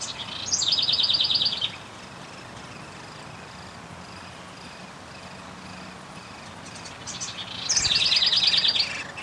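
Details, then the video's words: Feeding at a downy woodpecker nest, 20 May 2021: two loud bursts of rapid, harsh chattering pulses, each lasting over a second and separated by a quiet gap of faint hiss. "Downy Woodpecker nest & feeding"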